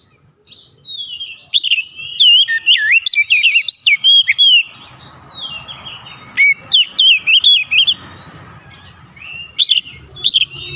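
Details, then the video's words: Oriental magpie-robin (kacer) in a cage, bird singing aggressively at a rival: dense run of loud looping whistles and sharp chirps, then a pause and further rapid bursts, faint humming in the background. "PANCINGAN KACER LANGSUNG GERTAK LAWAN | LAWAN PUN BALAS GERTAK GACOR BONGKAR ISIAN"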